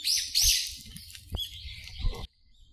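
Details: Wild birds in a park, Zoom H4n recording with noise reduction: a short flurry of high, sweeping chirps and one clear whistled note, ending abruptly in quiet.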